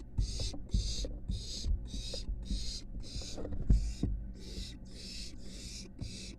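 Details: Barn owl nestling from a nest box on a University of Florida building: rapid, insistent rasping hisses, about eleven in six seconds, a steady rhythm over thumping footsteps and a low background hum.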